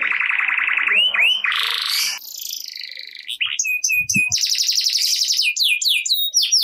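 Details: Canary singing energetically in the ngerek style, used to coax quiet canaries into song: buzzy rapid trills, two looping whistled swoops, a harsh rattling section, then fast repeated high chirps and sliding notes.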